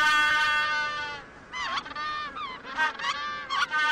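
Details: Penguins, males hatching eggs of future offspring. A long, steady, harmonic braying note opens the recording, followed by several wavering calls with bending pitch from other birds nearby.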